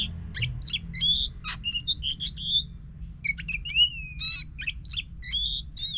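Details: Oriental magpie-robin song used as a lure to get a silent magpie-robin singing again: varied clear whistled phrases, some rising and falling, mixed with short sharp chips, over a steady low hum.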